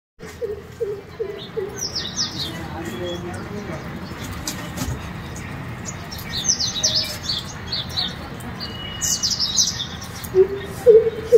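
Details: A greater coucal singing from a house balcony gives a short run of deep, hollow hooting notes in quick succession. Small birds chirp high and thin in the background.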